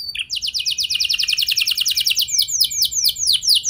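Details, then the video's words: Prompt song of a canary for inducing other canaries to sing long rolls: a short note leads into a fast rattling trill of sweeping notes, slowing into louder arched phrases toward the end. "Pancingan Burung Kenari Biar Ikut Gacor Ngeroll Panjang! Pasti Nyaut Kenari Mana Saja Dengan Ini"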